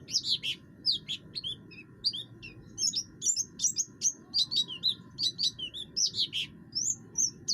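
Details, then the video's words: Oriental white-eye of the buxtoni form singing vigorously with a harsh voice, used to provoke other birds into singing: rapid, irregular string of high, sharp chirps and short downslurred whistles, over a steady low electrical hum. "pleci buxtoni gacor, suara kasar, cocok untuk memancing bunyi"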